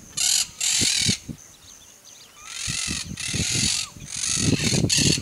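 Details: Monk parakeet uttering raspy, broadband squawks in uneven bursts, with a quieter stretch of low rustling and knocking noises between the calls.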